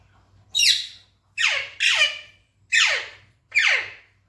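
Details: A pet talking parrot (Alexandrine or ring-necked parakeet) indoors gives five harsh, high, downward-sliding squawks, each about half a second long, at an uneven pace, over a faint low hum.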